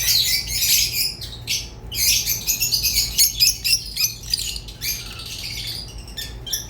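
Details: Rosy-faced and Fischer's lovebirds trading rapid squeaky chirps and raspy notes, about two per second, in uneven bursts over a quiet low hum.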